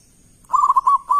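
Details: A loud local zebra dove sings to prompt other doves to reply, giving a rapid series of rolling, evenly pitched coos, five or six notes in quick succession with brief gaps, in a quiet setting.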